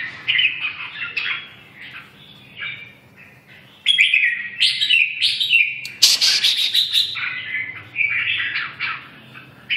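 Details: Red-whiskered bulbul in a lively song, rapid warbling phrases and sharp chips rising and falling, loud bursts separated by short quieter gaps over nearly ten seconds.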